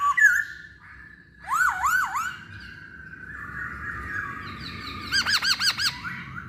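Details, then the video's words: Song of a masked laughingthrush, used as a lure to make other birds sing: swooping looped whistles in short bursts, a long wavering middle stretch, then a rapid series of bouncing notes. "Pancingan Poksay Hongkong"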